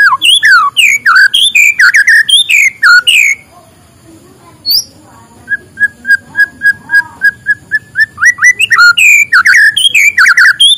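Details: A white-rumped shama singing in the morning, used to spur lazy birds to sing: fast, varied whistled phrases with sweeping slurs, a pause, then a steady string of even, repeated whistled notes before the rich song resumes.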